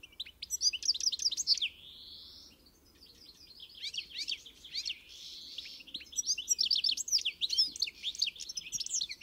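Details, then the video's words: European goldfinch singing an encarte-style song: rapid tinkling high twitters with a smooth drawn-out whistle in the middle, followed by more dense, jangling trills in quick bursts. "melher canto do Pintassilgo encarte"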